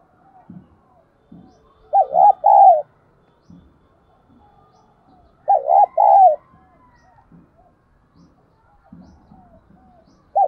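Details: Urging coos of a decoy spotted dove used to stir wild doves, a rolling three-part phrase repeated about every four seconds, with soft low murmuring sounds between phrases.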